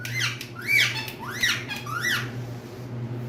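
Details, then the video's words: Pet green parrots indoors let out three shrill, arched screeches in quick succession, roughly two-thirds of a second apart, then fall quiet apart from a low droning hum. "Cute Green Speaking Parrots"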